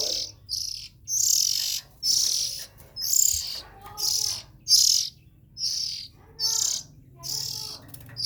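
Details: Oriental magpie-robin young repeating grating, hiss-like calls, with a few softer whistled notes from another bird underneath and a low hum throughout.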